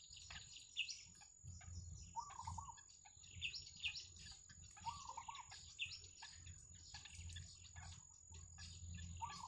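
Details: Yellow bittern family with chicks at the nest in the wild, producing dense high squeaky chirps and downward slides, broken by three wavering mid-pitched chatters spaced about two seconds apart, over a steady high whine.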